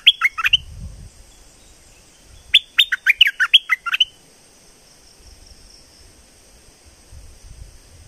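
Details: Streak-eared bulbul from southern Thailand gives two quick bursts of bright, chattering notes, a short phrase and then a longer run of about seven, over a faint steady high-pitched insect hum.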